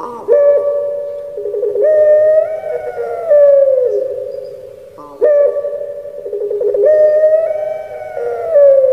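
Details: Indonesian puter pelung Barbary dove, kept bird, in the 'crying' song style: two repeated phrases about five seconds apart, each a bright opening note, a fluttering roll, then a long tone sinking slowly in pitch.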